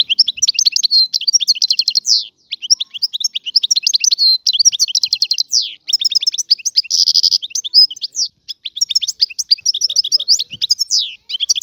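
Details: European goldfinch, free-living and of the Algerian type, in long continuous song: rapid jingling twitters, scratchy buzzes, downslurred whistles and one harsh buzzy burst, phrases chained with only brief gaps.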